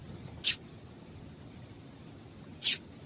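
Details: Female double-collared seedeater call, used to stir a male into singing: two brief, very high, sharp chips about two seconds apart over a faint steady background hiss.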